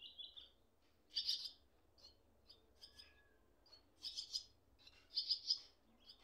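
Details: Baby swallows in their nest while parents stay close, one perched on cables: short harsh, buzzy high chirp bursts, often doubled, coming in irregular clusters with quiet gaps between them.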